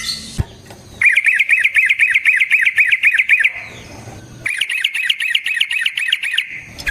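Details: Yellow-vented bulbul (trucukan) song used as a lure for trapping: two long steady rolls of fast, evenly repeated bubbling notes, each lasting several seconds, after a sharp opening click.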